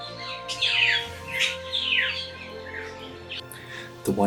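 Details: Spangled drongo, an excellent mimic that incorporates environmental sounds into its song, in Darwin, Australia, giving a run of harsh, scratchy notes and rising and falling chirps, several phrases in quick succession, over a steady low hum.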